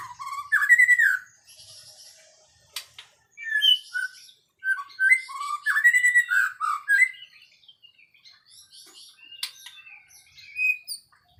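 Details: White-rumped shama giving rich whistled phrases, each a quick cluster of looping, rising and falling notes, separated by short pauses and interspersed with softer high twitters.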